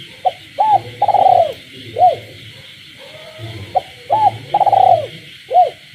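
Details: Night cooing of a kept spotted dove among frog calls in village countryside: a short note, a hooked coo, a long rolled purring coo and a closing coo, repeated once, with a steady high-pitched amphibian chorus underneath.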